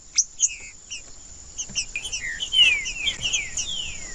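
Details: Green-winged saltator song used as a stimulating playback for caged birds kept by tournament breeders: clear whistled notes, many sliding downward, delivered in quick overlapping series, over a steady high-pitched insect-like hiss.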